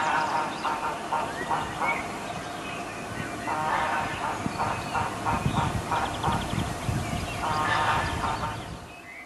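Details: Two male common goldeneyes (Bucephala clangula) in courtship display on a pond in Bohemian Paradise, Czech Republic, while preening and diving, give runs of short nasal honking notes, several per second, over a steady low rumble of wind or water.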